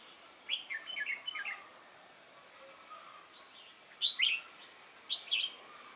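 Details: Wild-caught red-whiskered bulbul, 22 October 2018, contest singing: a quick run of chirpy warbled notes, a pause, then two loud, sharp, rolling phrases close together against a light hiss.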